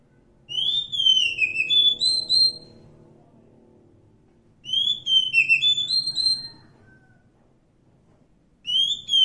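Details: Wild Oriental magpie-robin, called kacer hutan, singing rich whistled phrases of slurred notes, each phrase about two seconds long, given twice with a long pause between and a third phrase starting at the end; faint low hum underneath.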